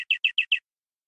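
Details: Local canary, said to be wild from the forest, in full-isian song with rich cengkok: five quick, high, downslurred notes in a short burst, then silence.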